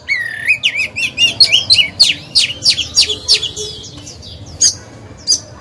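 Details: Oriental magpie-robin used to spur rival birds into song: a rising whistle followed by a quick accelerating series of sweeping notes, then sparse sharp calls.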